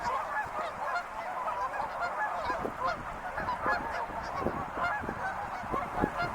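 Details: A flock of wild geese giving a constant babble of nasal honks, many birds calling at once in an unbroken, busy chorus.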